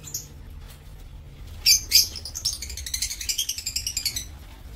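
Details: Aviary lovebirds on 7 April 2024: two sharp, loud shrieks followed by a run of rapid, rhythmic high chattering notes, about four per second, with fainter squeaks early on and low background hum.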